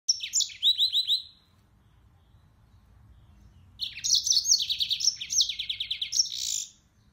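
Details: Yellow-fronted canary, also called Mozambique serin, singing: a short run of high chirps, then after a pause a longer fast series of bright, trilled notes dropping and rising, repeated rapidly.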